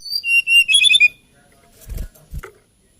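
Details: Hill blue flycatcher, or tledekan gunung, giving a short burst of high thin whistles and quick trilled notes, followed by a pause and a couple of low thumps.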